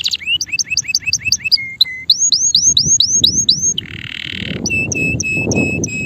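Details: Male canary singing: rapid series of repeated upswept whistled notes, then rising slurred phrases, a brief buzzy harsh section, and a final run of clear repeated chirps, with a faint low background rumble.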